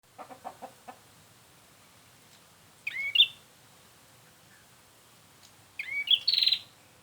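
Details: Prinia call used as a lure for trapping birds: two short buzzy, pulsed bursts with sharp high twists, separated by silence, after a few faint low clicks at the start.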